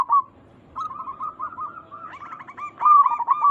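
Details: Local zebra doves, a recording used to lure and draw replies from other zebra doves: a soft trill-like coo, a long rolling warble, then short hooked notes and a loud ringing coo overlapping.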